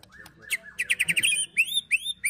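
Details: White-rumped shama 'ketrekan' chattering song mixed with imitated cililin and prenjak phrases, played to goad and tutor other birds; a soft rising whistle leads into a quick rattled series, followed by high, clear upswept notes repeated about every half second.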